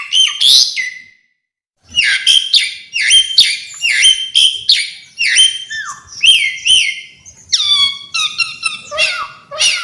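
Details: Varied song of an Asian pied starling, full of mixed phrases: bursts of harsh, rich whistles and chattering notes after a brief pause, many sharp descending slurs packed closely together.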